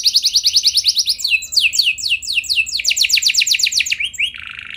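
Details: Canary lure song with long rolls to excite other canaries: a dense fast trill, a switch to slower sweeping notes, another rapid roll, then a short buzzy ending.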